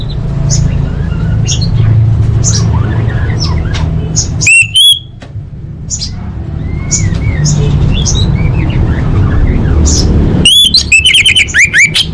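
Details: Orange-headed thrush masteran for training caged songbirds: scattered faint chips and whistles, a brief loud rich phrase near the middle, then a dense burst of rapid, ringing, varied notes at the end over low hum.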